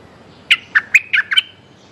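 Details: Mate-calling streak-eared bulbul: five bright, bouncing chirps in about a second, high and low notes alternating, the last trailing into a thin fading whistle.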